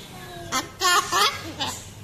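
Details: A pet umbrella cockatoo talking in Tamil gives three short, raspy, speech-like bursts over about two seconds, harsh and nasal with a gravelly edge.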